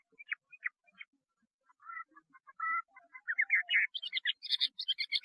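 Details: Chinese hwamei song starting softly with scattered chips and short warbles, then building into faster, louder, higher-pitched twittering phrases toward the end.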